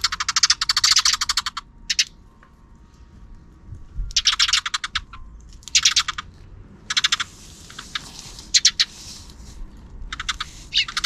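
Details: Sparrows chattering in the afternoon, out of the camera's frame: bursts of fast, crisp repeated chirps lasting one to two seconds each, separated by short silences, six or so bursts over eleven seconds.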